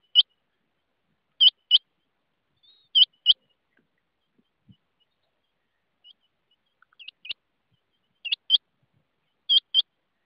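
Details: Rain quail giving crisp, metallic doubled notes, each pair about a quarter second apart and repeated roughly every one and a half seconds, with a few fainter chips between; otherwise quiet.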